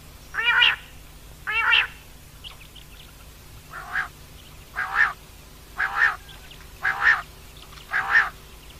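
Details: Female common quail calling: a series of short, harsh, harmonic-rich notes repeated roughly once per second, the first two louder and lower, the later ones steadier and similar in pitch, over a faint low hum.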